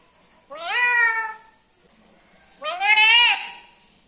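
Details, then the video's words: Pet black-capped lory talking sweetly for the first time: two separate drawn-out, nasal, speech-like phrases, each swelling and fading, with a quiet pause of about a second between them. "parrot talking ഇങ്ങനെ സംസാരിക്കണത് ഫസ്റ്റ് ആണ് black cap Lori sweet voice lori keet sweet talking"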